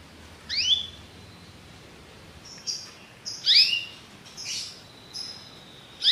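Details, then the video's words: Belgian canary giving scattered bright upswept chirps, single notes and short pairs spaced about a second apart, over a quiet background. "espetacular canto canário belga"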